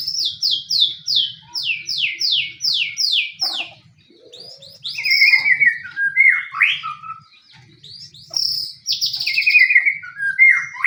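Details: Provocation song of a fighting white-rumped shama, meant to get any shama to answer: a run of about eight fast, descending high notes, then varied warbled and slurred whistles after a short pause.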